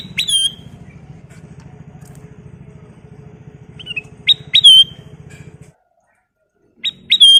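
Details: Kutilang emas, the ruby-throated bulbul, in energetic gacor song for luring and tutoring: clear whistled phrases of two or three sharp notes, repeated a few seconds apart, over a steady engine-like hum that drops away near the end.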